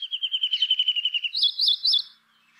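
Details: Brown rock chat, or Indian chat, gives a rapid rattling trill of pulsed notes on one pitch, followed by three loud, looping whistled syllables that rise and fall, then silence.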